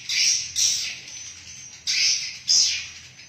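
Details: Swiftlets calling inside a swiftlet house: bursts of high, buzzy chirps in two pairs, each burst under half a second, with quiet gaps between.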